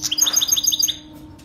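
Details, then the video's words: Canary singing the Saira full start, meant for training baby canaries: a brief, high, rapid trill of about a dozen chirped notes that stops abruptly, leaving a faint hum. "Saira canary full start training singing for baby Saira canaryسايره کنيري پول ستارٹ"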